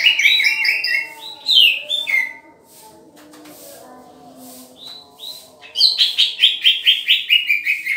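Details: Green leafbird during pairing opens with a tumbling, varied warble. After a quieter gap with faint notes, it breaks into a fast series of about a dozen clipped, buzzy chirps that dip slightly in pitch.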